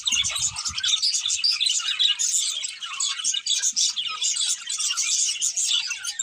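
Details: Pair of budgies twittering: pulses of high, squeaky chirps and warbles that swell and fade, with a few soft knocks at the start.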